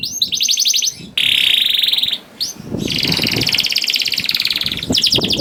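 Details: Canary song meant to coax hesitant canaries into singing: sustained, rolling buzzy trills broken by short pauses, with a brief clear trill at the start and some low background rumble underneath.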